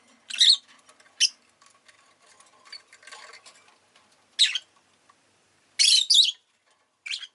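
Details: Rosy-faced lovebird chirping in irregular bursts: short piercing squeaks and longer grating, buzzy chirps, with a double burst near the end and quiet chatter between calls.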